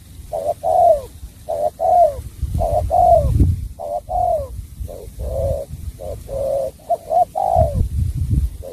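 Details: Spotted dove song in the bau bach de style: a long run of low hooting coo pairs, each short note leading into a longer falling one, with some low rumbling noise.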